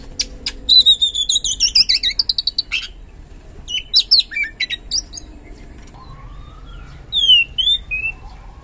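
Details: Oriental magpie-robin, a kacer used as a lure to provoke lazy birds into singing: rapid series of loud descending whistled notes, then sharp chips and upslurred whistles, varied and energetic.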